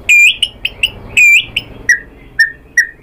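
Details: A white-rumped shama lure song to provoke singing: brief buzzy trills alternating with short clear whistled notes, ending in spaced level whistles about every half second.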